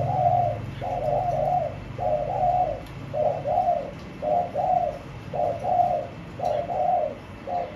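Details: Spotted dove kept in a cage, giving mellow, husky coos in paired and triple notes, repeated steadily almost once a second, with a faint low hum behind at first.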